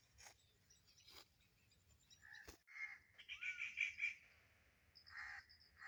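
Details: Rufous treepie (Dendrocitta vagabunda) giving harsh, nasal calls mixed with a bright rising whistle.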